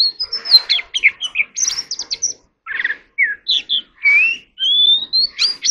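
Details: Oriental magpie-robin practising its voice, giving varied clear whistles, sweeping slides and scratchy chirps in quick phrases, ending with a long rising whistle and sharp flourishes.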